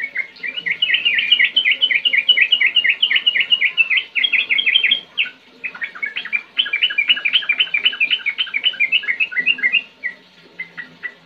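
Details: Sooty-headed bulbul in a sustained, rolling song: dense runs of quick, bright whistled notes, about four per second, continuing for several seconds. A short break in the middle is followed by another long run.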